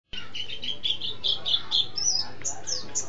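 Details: Mountain white-eye singing in the lively, rolling ngeroll and ngalas style, its repertoire filled with canary and sparrow imitations: a fast run of bright whistled notes, about four per second, climbing to higher, sharper whistles near the end.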